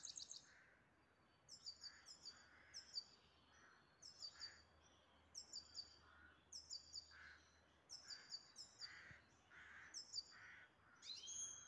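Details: Pet grey-headed goldfinch in the city of Istaravshan, singing quietly: short bursts of high, thin, chirping twitters, repeated roughly every one to two seconds, with a faint low hum in the background.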